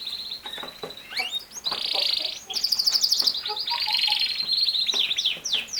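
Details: Canary in full song, pouring out dense buzzy rolls and rattling high trills almost without a break, with a few quieter low whistled notes beneath.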